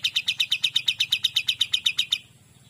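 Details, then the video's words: Olive-winged Bulbul in clear, energetic song, offered as tutor audio for magpie-robins: a fast, even run of about sixteen bright, high chips, roughly seven a second, stopping abruptly after two seconds over a faint low hum. "KAPAS TEMBAK GACOR DOR"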